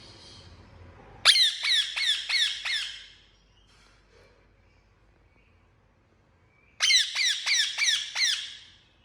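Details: Pet Indian ringneck parakeet giving two bursts of loud, harsh, downward-sweeping squawks, about six in quick succession each, separated by a few seconds of quiet.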